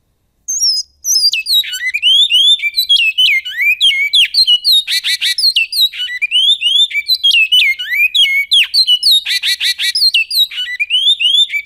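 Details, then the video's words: Great-billed seed finch singing in the Goiano song style: a loud, continuous run of clear whistled notes that swoop up and down, mixed with rapid high buzzy trills and sharp chips, phrases recurring about once a second, no other sounds. "CANTO BICUDO🎵 CANTO GOIANO"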